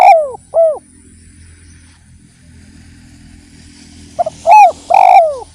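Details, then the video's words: Lure recording of a spotted dove meant to set listening doves cooing: two arched, mellow coos, a quiet pause with faint background hum, then a soft lead-in note and two strong, resonant, down-slurred coos. "PANCINGAN BURUNG DERKUKU GACOR || YANG DENGER PASTI IKUT GACOR"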